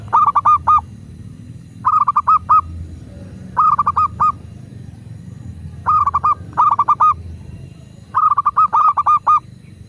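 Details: Natural local zebra dove cooing, used as a master to make doves sing. Regular bursts of four to six rhythmic, hollow coo notes come roughly every two seconds over low background noise.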